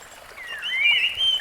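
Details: A rusty-fronted barwing in the wild sings a single smooth whistle that dips, then glides upward and levels off on a sustained high tone.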